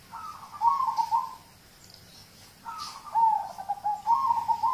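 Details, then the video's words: Local zebra dove singing, used as prompting audio for other songbirds: two long, bubbly, trilled coo phrases separated by a short pause, each opening a little higher before settling into a fluttering run, with a low background hum. "Audio terapi perkutut lokal untuk pancingan"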